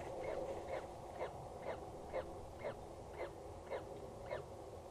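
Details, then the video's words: At Axel Tower, Netherlands, a peregrine falcon chick in the nest calls on 14 April 2019, 19:07, with soft short peeps evenly spaced about twice per second above droning background noise. "Is there already a chick?. We hear him"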